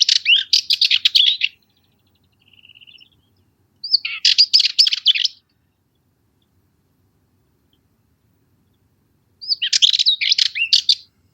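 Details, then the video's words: Cyprus Warbler, a small long-tailed Curruca warbler of dense Mediterranean scrub on Cyprus, singing three bursts of scratchy, rattling chatter, each about one to one and a half seconds, with a soft buzzy note between the first two; quiet background. "Cyprus Warbler - Songs"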